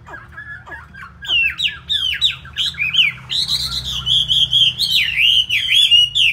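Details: A tame, loud Chinese hwamei of good fighting-competition quality sings a loud, rich run of varied whistles and slurred phrases, rising and falling quickly with few pauses.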